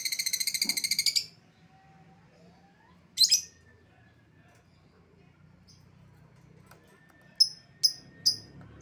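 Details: Lovebird lure sound for calling back an escaped lovebird: a fast rattling burst of harsh notes, one sharp squeak, a long pause, then three quick shrill chirps.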